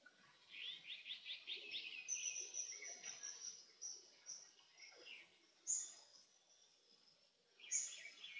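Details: Azure-winged magpie, a resident bird of Korea, raising young: a quick run of short chirping notes at the start, then thin high whistles, with sharp bright calls bursting out near six and eight seconds.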